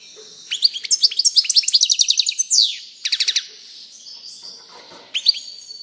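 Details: European goldfinch singing a fast twittering phrase of bright, high, clipped notes repeated in quick succession, with a down-slurred note near the middle, then a short pause and a few more chirps.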